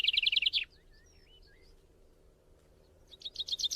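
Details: Fledgling white-eye, small but said to eat heavily, giving fast runs of buzzy high notes at the start and end, with a few thin scattered chirps in the quiet middle.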